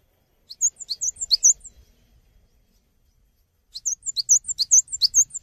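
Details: Cinereous tit in lively song, used to train songbirds: a rapid sequence of high, clear paired whistles, a pause of about two seconds, then a second matching run.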